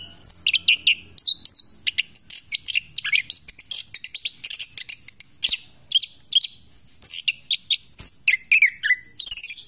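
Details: Orange-headed thrush still singing strongly while moulting: a nonstop, rapid, varied stream of high chirps, trills and whistled sweeps, with hardly a pause between phrases.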